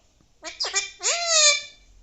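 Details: A talking Alexandrine parakeet kept as a pet gives a quick pair of clipped syllables followed by a long, rising, squawked word, in a quiet room.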